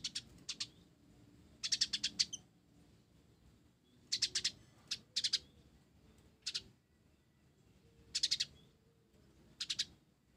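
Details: Active singing from a blorok sunbird whose song includes sparrow-like material: short, high, rattling bursts of three to five notes come every second or two, with quiet gaps between.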